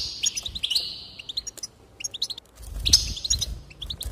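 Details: A goldfinch sings to spur others into song, opening with a long buzzy twitter that breaks into scattered high chirps, then rising again after a brief low thump.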